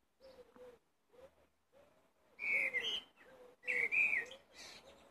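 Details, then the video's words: Blackbird song made of low mellow warbled notes in short phrases. Twice these lead into louder, higher fluty whistles with a twittering edge. "Black bird singing"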